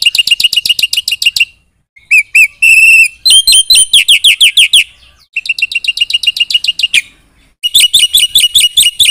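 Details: Black-winged myna in full, energetic song packed with fill-in phrases, meant to provoke other birds into answering: bursts of fast, sharp, high chips alternate with short whistled and slurred notes, broken by brief pauses.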